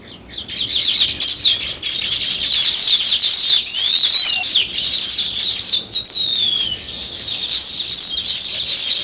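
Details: Sparrows in busy, continuous chirping, many quick rising and falling high notes overlapping, with short dips in loudness between bursts.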